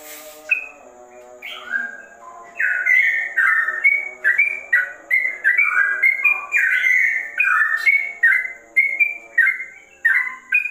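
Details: Sooty-headed bulbul delivering a long, chattering run of whistled notes in the manner of a straw-headed bulbul, starting sparse then building into a dense, bubbling sequence of slurred phrases.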